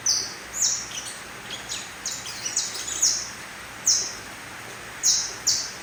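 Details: Three-month-old mutation canary giving short, separate high chirps and brief downslurred notes, spaced irregularly with quiet gaps between them.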